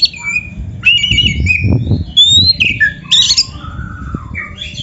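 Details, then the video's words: Oriental magpie-robin training song: a few sustained whistles, a thin rising whistle and a harsh chattering burst, partly masked by low rumbling noise throughout. "SUARA BURUNG KACER MASTERAN"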